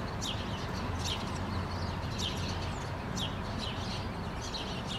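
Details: Morning chatter from a group of house sparrows in a Helsinki rose bush, August 2013: frequent sharp, downward chirps from several birds, often overlapping, set against a continuous low-pitched rumble.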